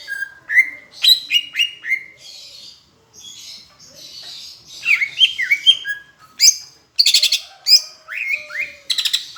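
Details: Tutor singing by a Greater green leafbird from Palembang, with Asian brown flycatcher mimicry: varied high whistled slurs, quick chirps and sharp rattling bursts, delivered in lively uneven phrases.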